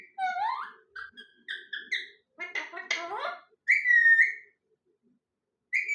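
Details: Parrot gives a run of varied whistled and squeaky notes, some rising, some harsh and buzzy, with short pauses between phrases and a flat whistle at the end.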